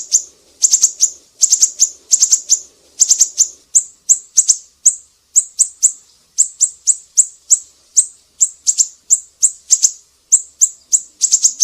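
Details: Siri-siri bird in full, lively song, recorded as a tutor track for other songbirds: rapid runs of sharp, high, piercing chirps, some doubled or tripled, with brief pauses between bursts, plus a faint low murmur early on.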